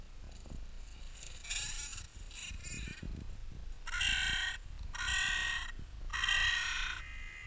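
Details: Crows in Clara Park in spring, sound slightly slowed: a few shorter rasping calls, then three long, harsh, hoarse caws spaced about a second apart over low background rumble.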